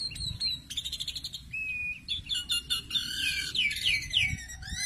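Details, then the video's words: Asian pied starling vocalising for pairing: a varied run of sharp chirps, rapid clicking notes and clear whistles, some rising and some falling, over steady low background noise. "menjodohkan jalak suren dengan cepat"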